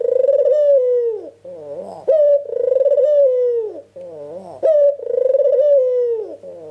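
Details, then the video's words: Repeated lure cooing of a white Ringneck dove to draw answers: three cycles, roughly every two and a half seconds, each a long tremulous coo falling away, then a short nasal upslurred note. "PANCINGAN TERCEPAT BURUNG PUTER FULL GACOR"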